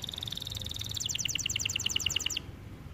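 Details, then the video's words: White canary singing: a steady high trill of rapid notes, then a slower series of sharp repeated chirps, about ten in a row, over a low background hum. "White Canary Bird Singing | Sound of nature | Canary song"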